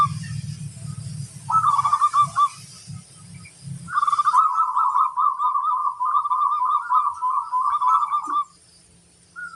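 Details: Local zebra dove, a crossbred bird, singing: a short rolling trill of rapid cooing notes, then a longer steady trilled phrase of about four seconds. Low rumbling noise is heard at the start.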